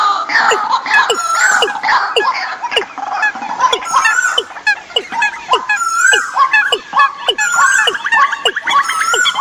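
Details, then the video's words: Decoy bird calls compiled for the migration season, played as lures. Dense overlapping chirps and quick downward-sweeping whistles repeat roughly twice a second, with higher twittering notes layered above throughout. "Tổng hợp tiếng Chim mồi mùa Di cư"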